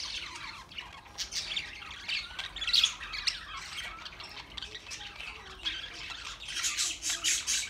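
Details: Several budgerigars keep up a busy, scratchy warbling with sharp squawks and high chirps overlapping throughout, the chatter swelling toward the end.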